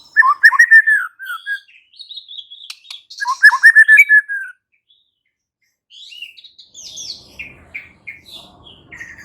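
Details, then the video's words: White-rumped shama responding in full song with varied material: two bursts of tumbling, warbled mid-pitched phrases, then softer higher whistles and chirps after a short pause. "Seketika murai batu NYAUT GACOR dan BONGKAR Muatan dengan Kicau murai ini"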